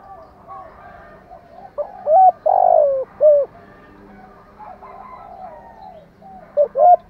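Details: Spotted dove cooing, a mix of male and female voices used to stimulate birds kept for training. A burst of three or four deep, hollow coos comes after a quiet start, and a short pair of coos follows near the end over faint background hum.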